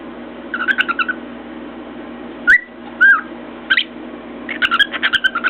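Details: Pet cockatiel perched on top of its cage, banging its beak on a mirror and whistling: bursts of quick chirpy notes, then three separate clear whistled slurs that rise and fall, followed by more rapid chirps with sharp taps.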